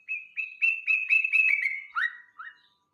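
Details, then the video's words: Yellow-vented bulbul song played to lure songbirds: about eight quick, high whistled notes in a gently descending series, ending in two lower, sharply rising slurred notes. "pancingan burung cerukcuk"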